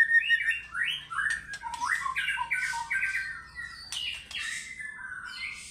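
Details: White-rumped shama singing fighter style, with rising slurred whistles and burry notes in quick succession, some harsher squawk-like phrases, fading somewhat toward the end.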